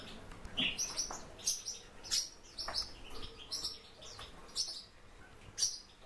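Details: Warbling white-eye (Zosterops japonicus) kept as a cage bird: a string of short, very high, thin chirps scattered irregularly over six seconds, with soft clicking and rustling between the notes.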